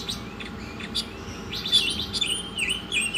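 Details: Oriental magpie-robin in full song, used as training material for songbirds: short scratchy bursts, then clear wavering whistles and dipping notes, over a faint constant hum.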